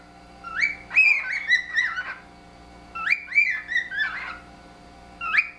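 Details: Two pet cockatiels, housemates for three years, trade friendly wolf whistles with extensions in a shared whistled language, clear bright rising-then-falling phrases repeated in two bursts, then a short final whistle.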